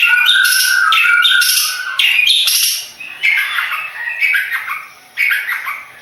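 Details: Madura-type long-tailed shrike used in song contests gives loud, harsh squawking bursts about once a second. These fade into softer, scratchy twittering phrases broken by short gaps.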